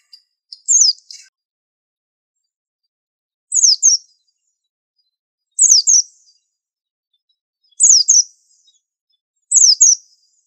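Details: Five brief phrases of paired high notes, each dropping steeply in pitch, spaced around two seconds apart: a white-eye master song called special and unusual, clean and free of other sounds.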